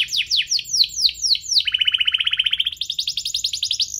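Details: Rapid canary song used as a lure for other canaries: falling slurred notes, then a long fast trill that jumps higher and continues rattling to the end.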